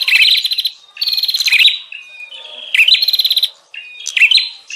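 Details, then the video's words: Agitated bar-winged prinia calling, used as a lure for wild prinias: short bursts of rapid, buzzy, rattling notes, each led by a rising slurred whistle, about three bursts with quiet gaps between. "Suara pikat burung prenjak Ribut"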